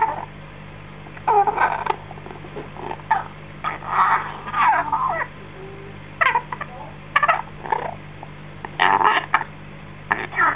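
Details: Cheeky six-week-old baby African grey parrot, a pet just fed, chatters in short bursts of squeaky, wavering calls and harsh grating notes, with quiet gaps between, over a steady low electrical hum.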